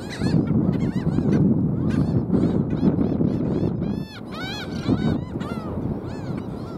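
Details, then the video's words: A colony of Black Skimmers at South Padre Island, Texas, on 5 April 2023 gives a steady chorus of nasal, barking yaps. Many birds overlap several times a second over a heavy low rumble of wind or surf. "Black Skimmer calling"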